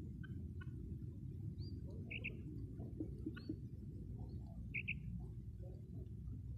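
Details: Female common quail calling, recorded as a lure for quail hunting: two short, bright doubled notes about three seconds apart, with faint chirps of other small birds and a steady low rumble beneath.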